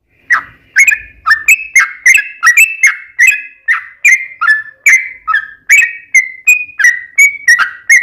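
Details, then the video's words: Yellow-vented bulbul lure song for getting other bulbuls to sing, a steady stream of short bright whistled notes with clicking attacks, roughly two to three per second, pitch stepping up and down. "KICAU SUARA trucukan gacor ROPEL PANJANG pancingan trucukan agar bunyi"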